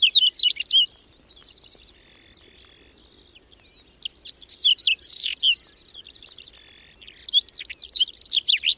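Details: Whinchat, of which several dozen pairs nest around Domzheritsy in the Berezinsky Biosphere Reserve, singing in May snow and cold. Rapid clusters of scratchy high notes and whistles come in three bursts, joined by a thin sustained whistle.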